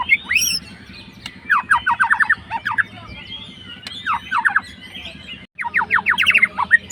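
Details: White-rumped shama, a fighter bird, singing to provoke a rival: rapid bursts of steeply descending slurred notes alternating with clear rising whistles and some higher sharp notes, over a steady low hum.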